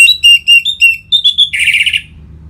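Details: Orange-headed thrush song used to prompt caged birds into singing: a run of clear repeated whistles, then a harsh buzzy rasping note, with faint low background hum.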